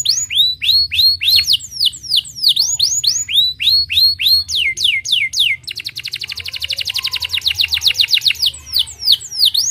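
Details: Stimulating canary song: long run of swooping downward whistles repeated several per second, shifting into a rapid buzzy trill, then back to swooping notes, with a faint low rumble throughout.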